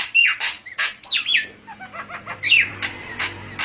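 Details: Javan myna (jalak kebo) song used as a lure: a varied run of loud squawky notes, whistled upslurs and descending swoops, with brief chattering pieces between louder phrases and no other sounds.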